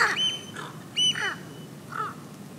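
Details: Pacific reef heron on Heron Island, Great Barrier Reef, Queensland, Australia, at 08:50 on 28 July 2019, giving harsh, raspy squawks, four in under three seconds, with a thin high whistle running faintly behind them.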